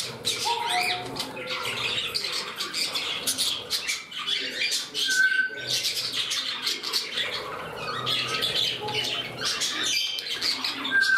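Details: Budgerigars kept indoors in a new home, one bird turning temperamental while rivals jostle for a place beside another: dense, continuous scratchy chattering warble with clicks and short sharp squawks, a few brief whistled notes rising above.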